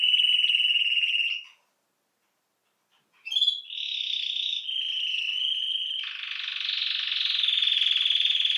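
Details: A domestic canary, the canário-belga or canário-do-reino, sings a sustained high rolling trill, falls silent briefly, then resumes with a rising flourish and chains several long, rapid trills of shifting pitch.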